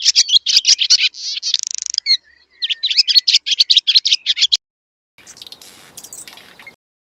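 A swallow gives a rapid, high chattering twitter of dry chirps and short trills, pausing briefly, then fainter scratchy notes follow.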